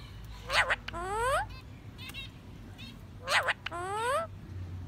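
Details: Chattering pet parakeet, said to be happy, talking and singing, produces two bursts of harsh noisy notes, each followed by stacked rising whistled slides, with a low background hum throughout.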